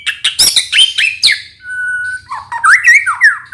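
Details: A White-rumped shama sings energetically in the morning, used as a lure to make other shamas answer: harsh chattering notes, a long steady whistle, then quick rising and falling whistled slurs.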